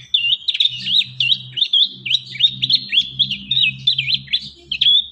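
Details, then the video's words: Training lure of young prinia song: a continuous run of high, bright, rapidly repeated chirps and short slurred whistles for five seconds, with a steady low hum in the background. "Masteran | pancingan burung prenjak muda | prenjak bakalan"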